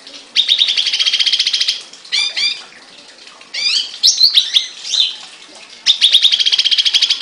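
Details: Songbird kept in a cage: long buzzy rattling trills open and close the passage, with fast chattering slurred phrases between, loud and close.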